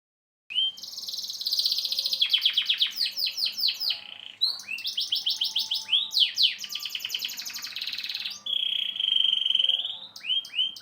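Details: Canary song of the Indonesian 'durasi' long-duration style: loud rolling trills of rapid repeated notes, each tour a few seconds long, switching between buzzy rattles, sweeping slurred phrases and a sustained level whistle near the end.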